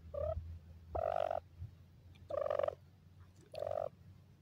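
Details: Dakhni (Iranian) francolin chicks in a happy mood: four clear whistled notes, short and longer, level in pitch, spaced about a second apart, over a low steady hum.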